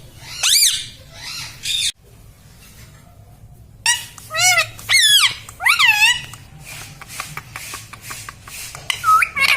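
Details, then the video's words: Pet parrot talking indoors, repeating words like mummy and papa: bursts of wavering, nasal, speech-like syllables, a quiet pause, then a busy string of rising-and-falling utterances and short clicks. "parrot talking mummy"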